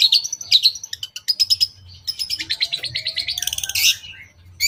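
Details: Lure song of a long-tailed shrike, the "toet toet" pattern with elaborate filler, aimed at provoking rival shrikes. Dense, varied chattering runs of sharp high notes are followed by a harsh rising burst, with low hum in the background.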